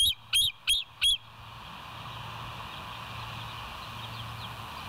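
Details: Bald eagles on a live nest camera at West End, 09/11/2023 at 20:27: four short, high piping notes in rapid succession, each with a slight upward flick, followed by steady electrical hum and hiss.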